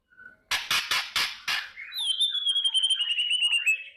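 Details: White-rumped shama in the morning, its song used to provoke a fighting mood: five harsh crackling bursts, then a long high whistle that wavers and slowly falls, with faint tinkling notes above it.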